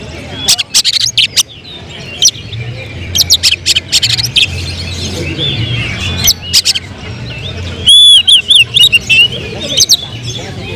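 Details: Oriental magpie-robin, a caged bird showing promise for song contests, mostly scattered sharp clicks and ticks over soft background hum, then a short burst of loud rippling whistles near the end.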